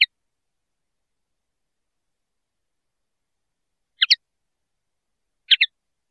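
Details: Song of a common linnet, given as isolated clipped double notes, bright and high, with about four seconds of quiet before two quick bursts near the end.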